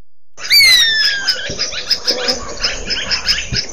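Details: African lizard buzzard giving a loud, clear whistle that slides steadily downward over about a second, with harmonics above it, followed by a busy chorus of other chirping birds.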